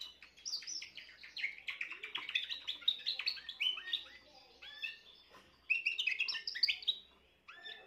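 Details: Spanish Timbrado canary, a young bird hatched this year, recorded 14 June 2023, delivering a long rapid song of varied chirps, trills and metallic notes in phrases, with a brief pause before a bright renewed burst near the end.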